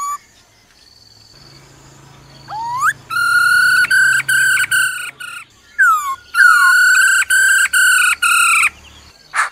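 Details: Female laughingthrush calling "ro ro" to stir up a male, with upward-sweeping whistles leading into two long runs of level, harmonic-rich whistled notes.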